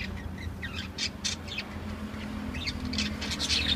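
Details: Caged lovebirds calling in shrill, rapid chirps and squeaks, irregularly spaced and growing busier at the close, over a background drone.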